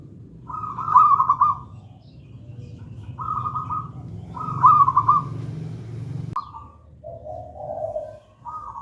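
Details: Local wild zebra dove of the gedang rojo style, singing actively and melodiously, used as a lure and master song to train doves that do not yet sing; soft trilled cooing phrases repeat every couple of seconds over low rumbling noise.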